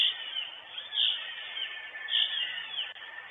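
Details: Female northern goshawk in her nest in Estonia, 23 June 2022, on a live nest camera: two or three high, drawn-out calls that slur downward, with constant hiss behind them.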